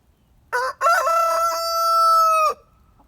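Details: Rooster crowing while shaking: a short opening note, a brief break, then one long steady harmonic-rich cock-a-doodle-doo held for about a second and a half before cutting off.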